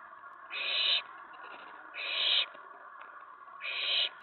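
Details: Three drawn-out, breathy screeches, roughly one every 1.5 seconds, from an owlet in a nest box around 10:54 PM on May 19 2017. It became excited when an owl arrived at the tray following a mouse delivery.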